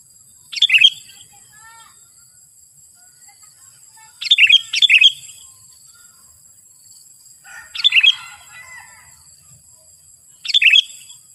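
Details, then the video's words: Sooty-headed bulbul singing strongly in short, bright chattering bursts about every three seconds, some doubled, over faint high hiss; used as a call to draw wild bulbuls near and make them sing. "KUTILANG MANA YANG TAHAN KLU PANGGILAN NYA BEGINI"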